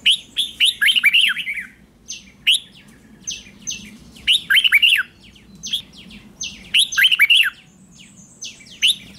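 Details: Morning training song of a red-whiskered bulbul, with fired-up competition singing. Lively, warbled phrases of several rolling whistled notes come about every two seconds, with sharp high chirps between them.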